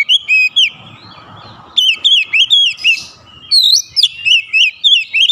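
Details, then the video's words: Oriental magpie-robin in a vigorous challenge duel: bouncy repeated whistled notes about three per second, broken by a short gap, then more rapid varied chirps and slurs. "PANCINGAN KACER LANGSUNG GERTAK LAWAN | LAWAN PUN BALAS GERTAK GACOR BONGKAR ISIAN"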